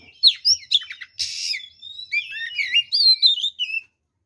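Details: Singing oriental magpie-robin in a full fighting song that stirs rival birds to anger: a few sharp chirps, a harsh rasping burst, then a run of sweet sliding whistled notes.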